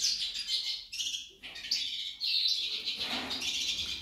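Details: High, tinkling twitter from a female goldfinch, described as resembling a hummingbird; short bright phrases broken by two quick gaps, then a steady run of chattering notes.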